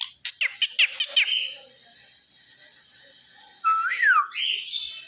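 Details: Pet sun conure chick, newly arrived in a home, indoors: a quick run of sharp clicky chirps, then a quiet pause before a clear whistled note that slides upward and ends in a harsh rasping squawk.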